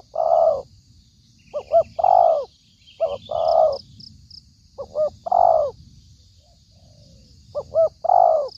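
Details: Spotted dove call used as a trapping lure: low, hollow cooing phrases, each a pair of quick clipped notes then a long drawn-out coo, repeated about every two to three seconds, with faint high-pitched chirps behind.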